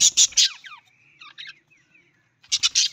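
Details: Budgerigar, called an Australian parrot, giving loud harsh rasping bursts at the start and again near the end, with a quiet thin warbling chatter of short gliding notes in between.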